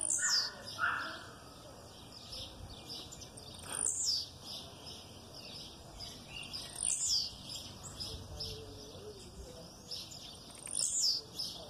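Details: Blue-black grassquit aggressive song with a female calling in the background, four high, brief, buzzy descending notes spaced about three seconds apart, with faint softer chirps between them and low background hiss.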